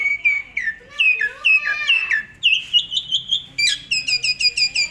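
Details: Asian pied starling singing in the lively 'gacor full isian' style. The recording is used as a tutor for other songbirds. Clear whistled notes slide downward, then a level whistle, ending in a fast run of short bright chips.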